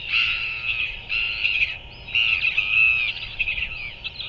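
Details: Royal albatross in New Zealand at 5:41 pm on 7 February 2024, as a parent feeds its chick: three harsh, raspy bursts, the last and longest running over two seconds, over a steady low rumble of wind.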